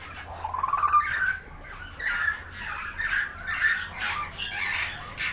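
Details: A captive-raised pied myna gives a run of harsh, chattering notes mixed with short rising whistles, repeated about every second over a low steady hum; Asian pied starling.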